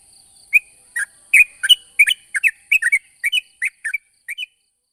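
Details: Sooty-headed bulbul lure song for attracting other bulbuls: rapid run of clear whistled chirps, some dipping and rising, roughly three per second, with a faint continuous high hiss.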